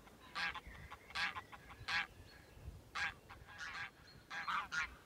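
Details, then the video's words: Greylag geese crossing fields at Haigsfield near Birgham, by the River Tweed with the Cheviot Hills on the horizon; harsh nasal honks in irregular bursts, several birds calling, some distant overlapping calls between louder clusters. "Greylag Geese Haigsfield 180420"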